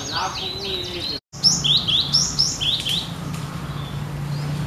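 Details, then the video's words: Cinereous tit singing steadily in 'gacor nagen' style, like a wild bird: after a brief dropout come clear whistled phrases, each dipping and rising, repeated in a quick run over a steady low hum. "Gelatik Batu Gacor Nagen Seperti Di Alam"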